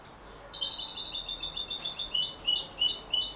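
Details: Thirty-three-day-old canary x European goldfinch hybrid calling loudly in a dense, continuous stream of quick, high, slightly buzzy chirps with varied pitch, beginning abruptly after a quiet half second.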